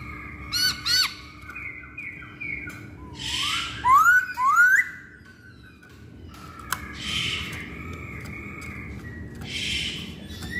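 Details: Masked laughingthrush lure recording to set off other birds' singing: a few whistled notes, harsh noisy bursts, and two loud rising slurred whistles midway, then quieter hissing bursts and a faint whistle.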